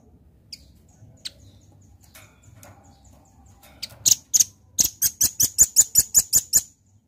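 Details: Velvet-fronted nuthatch in lively voice, a fast rattling series of about a dozen sharp, very high piping notes, evenly spaced at several per second, after a few scattered faint ticks over a low background hum.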